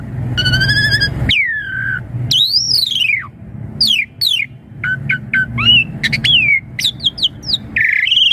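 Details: Asian pied starling song used to lure young birds into answering: a long harmonic-rich nasal note, then loud swooping whistles, rising and falling slurs and short sharp notes in a varied, rich sequence over a low background hum.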